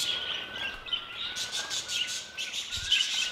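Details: Budgerigars chatter in an aviary: dense high chirps come in bursts over a faint, steady whistled tone.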